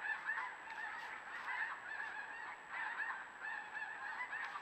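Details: Geese on a river, filmed by trail camera, honking continuously in a dense overlapping chorus of many birds, with nasal calls pulsing without pause and a faint steady high electronic tone behind.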